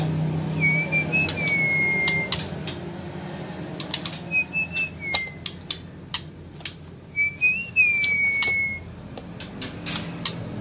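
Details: ['Sumatran white-rumped shama in Bengkulu city, Indonesia, giving three pure whistles, each rising briefly then gliding down into a drawn-out steady tone, roughly every three seconds, with scattered sharp clicking and tapping noises around them.']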